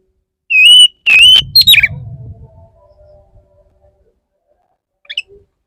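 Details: Oriental magpie-robin male courting a female: two steady whistled notes, then a quick falling slur with chips, over brief low rumble, then quiet apart from a faint chip.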